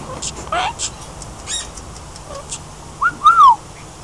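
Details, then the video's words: Parrot whistling: a few soft chirps and noisy squawks, then two clear arched whistles that rise and fall near the end, over low background noise. "Funny Parrot laughs and whistles"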